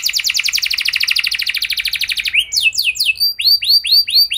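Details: Canary song used as a lure to make other canaries sing: a long, fast, buzzing trill of high notes, then a few separate swooping whistled notes repeated roughly twice a second.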